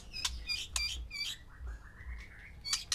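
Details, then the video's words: Captive white-rumped shamas, one male with six females, kept to provoke breeding arousal: harsh, scratchy high notes in quick pairs, then a long thin whistle rising slowly, against a low hum. "MANCING BIRAHI 6 MURAI BATU BETINA DENGAN 1 JANTAN"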